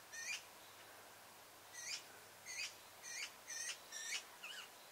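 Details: Eurasian oystercatchers in meadows in late May or early June: young birds follow the parents that feed them. Short, shrill piping notes, six in about five seconds at an uneven pace, sound over a soft steady background hiss.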